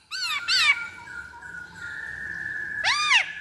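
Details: Black-throated laughingthrush lure song: two loud arched whistles, a long steady whistled tone, then another strong arched whistle at the end over faint background hiss.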